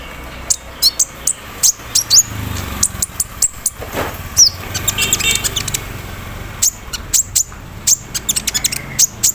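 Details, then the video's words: Caged olive-backed sunbird (konin) set out in the morning dew, singing with imitated embroidery-machine filler and 'cerrr' trills: sharp, very high chips and short clipped notes in rapid irregular bursts, over a faint steady background hiss. "KONIN KELUAR ISIAN MESIN BORDIR, CERRR SAAT DI EMBUNKAN PAGI HARI"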